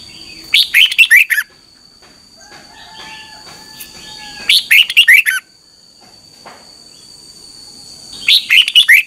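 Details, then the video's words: Red-whiskered bulbul singing in the morning, 2021, a training and lure recording: three rapid warbled phrases spaced about four seconds apart, with faint thin whistles between and a constant high electronic tone. "Luyện chào mào hót sáng 2021 - QUÁ HAY KÍCH BỔI NHANH CĂNG LỬA"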